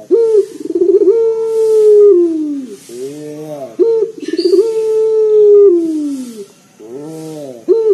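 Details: Powerful local collared dove used as a lure for other doves, repeating a pattern of pulsed build-up, long low coo falling at the end, and a soft rolling purr, twice over.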